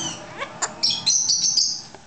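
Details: A pet Hahn's macaw, a male, does his "evil laugh" when asked: a run of harsh, high, raspy bursts imitating a laugh, with a person's voice faintly heard beforehand.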